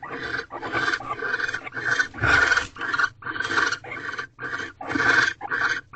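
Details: Barn owls inside an owl box at Corral, 7:46 pm, 2/18/23, during mating as the male arrives with another mouse; rough, uneven hissing screeches, some longer and louder, with short gaps between them.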